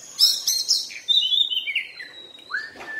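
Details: Oriental magpie-robin (kacer) in moult giving bright chattering notes that slide into descending whistles, ending with a long steady whistle and a low note.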